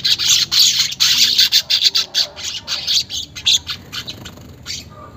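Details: Weaver chatter recorded as a lure for caged birds, unedited: loud rasping bursts of high chirps, about one every half second, fading toward the end.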